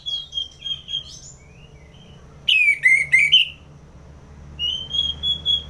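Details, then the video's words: An orange-headed thrush from Singaraja, Bali, delivers ngeplong song used to tutor and provoke fighter birds: a drawn-out whistle fading away, then a loud cluster of harsh slurred notes, and a rising whistled phrase to close. "ANIS MERAH Ngeplong || Masteran & Pancingan Burung Fighter Ngelawan"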